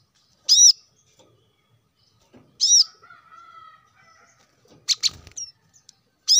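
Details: Plain-throated sunbird, recorded as a prompt for caged birds to sing: two sharp, high arched chirps, then a soft steady tone and a fluttering, wing-like burst with a quick rising squeak, ending with another chirp.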